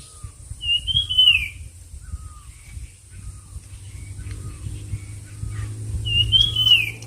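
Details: Bird singing in a competition gives a bright slurred whistle near the start and another near the end. Soft shorter notes sound between them, over low rumbling background noise and a steady high whine.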